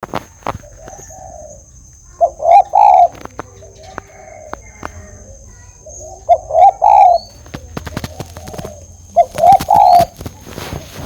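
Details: Tame, actively calling spotted dove giving loud, low, hoarse cooing phrases, each a short run of rolling coos, repeated about every three to four seconds with quiet gaps and some clicking noises between.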